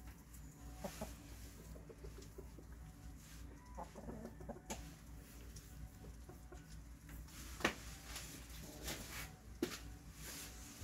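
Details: An aggressive chicken among hungry cats gives clucks: short, abrupt notes scattered irregularly over a low steady background hum.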